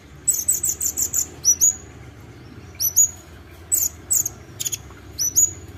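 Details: Kolibri ninja, the olive-backed sunbird, in gacor isian singing. It opens with a fast string of about seven short high buzzy notes, then gives sharp rising chirps in irregular pairs and triplets.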